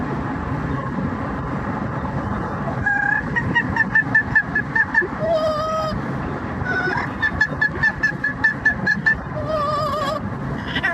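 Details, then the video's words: A pet yellow-naped amazon parrot riding along on a commute belts out an operatic imitation: quick runs of loud, ringing, harmonic notes with squawky breaks, over a steady low rumble of vehicle noise. "the Parrot singing opera and making noise"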